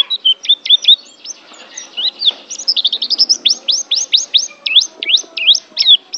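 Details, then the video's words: Pleci, or white-eye, delivering a lively series of sharp high chirps, roughly two per second at first and then faster, some notes V-shaped, in a clean recording. "SUARA BURUNG PLECI"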